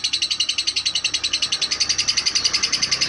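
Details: Female lovebird, described as a calm bird, giving a fast, steady series of shrill, high chirps, roughly eleven in three seconds, each sharp and evenly spaced, with little else heard.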